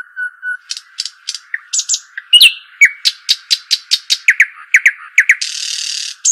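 Arabian babbler giving a quick, uneven run of sharp, high chirps and short rising notes, about two a second, over a faint steady hum and a brief rushing burst.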